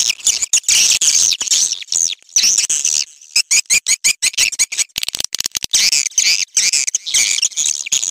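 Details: Swiftlet mating call: dense, high-pitched chattering chirps and twitters in rapid overlapping bursts with brief pauses, steady throughout.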